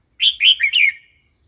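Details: Red-whiskered bulbul wild-style song phrase, for teaching chicks and wild-caught birds: one quick rich warble of four slurred whistled notes, slightly falling at the end.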